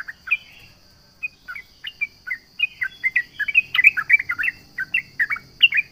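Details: Sooty-headed bulbul in vigorous song aimed at rivals: a few hesitant chirps build into a fast, loud, jumbled stream of liquid warbled notes. A constant high insect buzz continues throughout.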